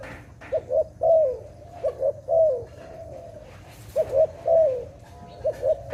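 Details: Repeated dove cooing: short double coos lead into a longer purring note that dips at the end. The phrase recurs about four times at a steady mid pitch over quiet background noise.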